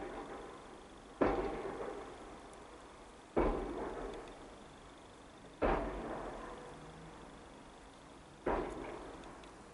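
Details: Four loud thuds like slamming doors fall every two to three seconds, each fading out over a faint hiss, with no animal voices.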